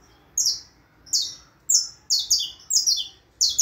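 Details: Canário da terra, the saffron finch, singing bright, high, buzzy notes, single at first and then in faster paired and tripled bursts, over a faint low background murmur.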